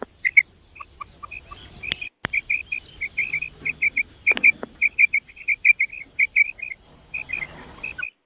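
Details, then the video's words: A female common quail (batair) gives a fast run of short, high, clipped notes, about three or four each second, with a few softer lower notes mixed in. "mada batair ki Kamal awaz batair ki awaz common quail sound"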